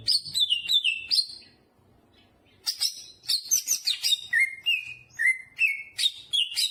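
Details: Energetic greater green leafbird song filled with jamtrok material: a run of descending whistled notes, a brief lull over faint low rumble, then rapid chirps and clear falling whistles.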